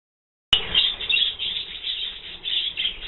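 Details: Budgerigars of mixed colours bathing without greenery, recorded on 7 December 2009; a dense, continuous scratchy chirping chatter with repeated warbling bursts and sharp clicks.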